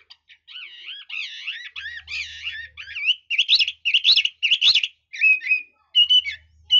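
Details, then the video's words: Red-whiskered bulbul singing with varied, switching phrases: slurred warbled whistles that become louder, clipped, rapid notes, with brief pauses between bursts and a faint low hum in the background. "Chú mi cực hay, đảo giọng hót tốt hót rất đẳng cấp"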